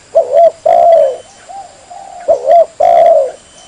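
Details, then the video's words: Trapping lure call of a spotted dove: a soft hollow coo phrase given twice, each a short double note followed by a long drawn-out falling coo, with quieter coos between and light background hiss. "SUARA PIKAT BURUNG TEKUKUR"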